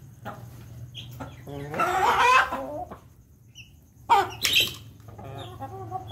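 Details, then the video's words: Ayam Ketawa rooster crowing while eating: two loud, harmonic, wavering bursts, a longer one near two seconds and a shorter, sharper one near four seconds, over a steady low hum and faint clucks. "pendekar ayam jago ketawa lagi makan"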